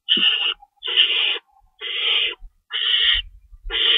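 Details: Owl nest at feeding time, 3:53 AM on March 25, 2012, rabbits cached nearby: five long, harsh, breathy screeches spaced under a second apart, with a low rumble of movement near the end.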